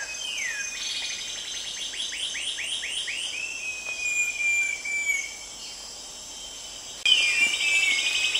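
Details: Short-tailed babbler at Venus Loop, Singapore, gives a quick run of about a dozen high, slurred whistles, each bending up then down, over a steady insect drone.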